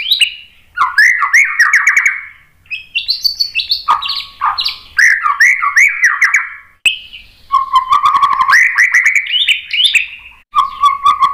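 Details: White-rumped shama in strong song, meant to set other birds singing. Varied chattering and warbled phrases run in bursts, some harsh, some whistled, separated by brief pauses.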